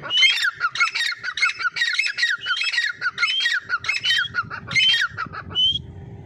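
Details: Grey francolin giving a fast run of loud, grating, squawky phrases with clear rising whistled notes, repeated without pause for over five seconds and ending in one clear whistled note over a low rumble.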